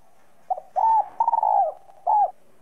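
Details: Spotted dove giving a whistle-voice style coo used to stimulate other doves: a short soft note, a long level coo, a rapidly pulsed trembling coo falling at the end, then a final arched coo, over a faint steady hum.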